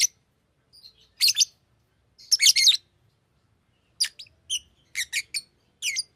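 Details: A pet Fischer's lovebird calling: sharp, high, broadband chirps and squeaky notes in short bursts, some paired or in quick runs of three, separated by brief silences, in a quiet indoor setting.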